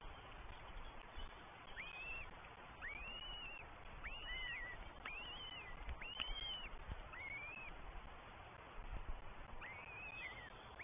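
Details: Northern goshawk nestlings, three of them, begging as their mother and then father bring breakfast, New Forest, England, 20 May 2023, nest cam: arched, upslurred whistles that rise then fall, coming in quick overlapping bursts amid low rumbling noise.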